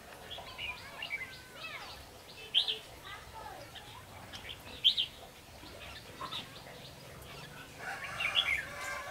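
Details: At a bulbul trapping site, a red-whiskered bulbul sings short, clear, warbling phrases every couple of seconds, mixed with softer chattering notes and low background murmur.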